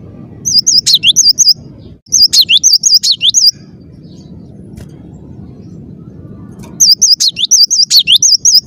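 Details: Cinereous tit (gelatik batu) singing persistently in a clear voice: three bursts of quick, high, wavering two-note whistles with sharp downward slurs, separated by a pause of about three seconds, over a low background rumble.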